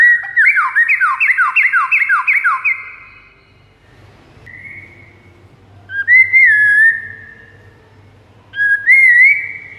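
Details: White-rumped shama master song to attract rival shamas: a rapid series of repeated down-slurred whistled notes, a quiet stretch, then two separate clear rising-and-falling whistled phrases.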